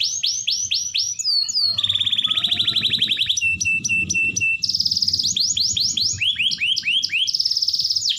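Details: Vigorous canary song used as a lure to get quiet canaries singing: varied phrases of rising whistles, a fast rolling trill, sharp clipped notes, then swooping upward slurs repeated in series, with light low background noise.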